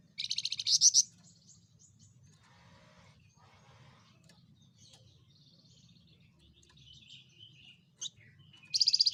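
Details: Loud-voiced Javan fulvetta, a small insectivore, opens with a rapid high trill that ends in sharper notes. A long quiet stretch with faint distant chirps follows, and another high trill closes the recording.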